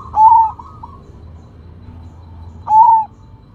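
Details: Loud Sumbawa zebra dove song: two powerful, smooth, slightly falling coos about two and a half seconds apart, each trailing soft trilled notes, against a low humming background.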